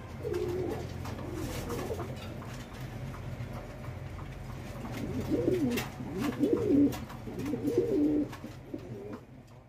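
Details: Fancy pigeons kept on a Bangladesh pigeon farm; faint cooing at first, then a clearer run of three or four rolling, dipping coos near the end, set against a droning low hum.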